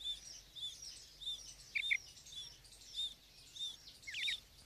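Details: Female quail uttering short arched high notes about every half second, broken by a doubled chirp and ending in a zigzag call, over low background noise.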